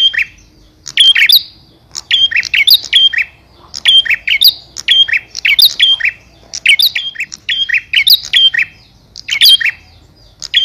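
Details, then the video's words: Male bar-winged prinia calling to a female: bursts of three or four sharp, high, chirping notes, repeated about once a second throughout, with short pauses between bursts and a quiet background. "Suara Burung Prenjak Jantan Memanggil Betina"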